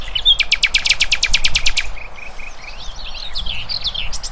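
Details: Free-living birds in nature: a fast, loud series of sharp buzzy clicks repeated for about two seconds, then softer high twittering and chirping notes.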